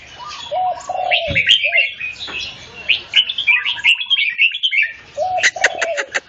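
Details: Red-whiskered bulbul singing in a contest against another bulbul: bright, warbled phrases of rising and falling whistled notes, with lower fluty notes beneath, sharp clicking taps near the end, and brief pauses between bursts.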